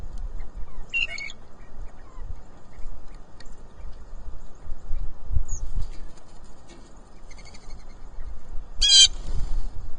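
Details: Blue jay at a farm giving harsh, scratchy hollers, one early and a louder one near the end, with faint bird notes between and constant low rumble underneath.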